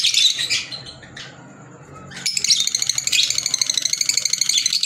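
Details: Green Fischer's lovebirds give a shrill squawk, fall quiet for a moment, then break into dense, continuous high-pitched chattering, rapid and buzzy, lasting to the end.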